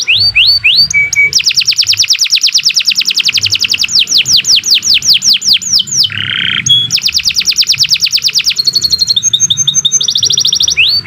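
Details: Canary in long, continuous full song, used as a tutor recording for training other birds: fast high rolling trills, brief lower buzzy bursts and sharp upswept whistles, changing phrase every second or two.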